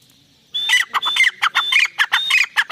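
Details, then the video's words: Pair of Iranian francolins (teetar) calling: after half a second of quiet, a rapid run of harsh, scratchy, repeated notes begins, each paired with a thin high whistle, pulsing about four times per second, loud and close. "Teetar ki awaaz | irani teetar paire ki awaz"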